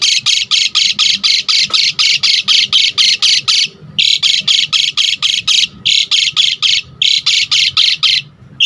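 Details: Asian pied starling in vigorous singing mode, used to provoke and tutor other birds. A fast, harsh, rasping note is repeated about four times a second in long bursts, broken by brief pauses.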